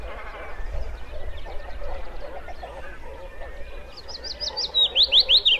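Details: Singing wood warbler: a dense murmur of distant birds, then near the end a loud, quick series of high, sharp, slurred notes forming a bright trill.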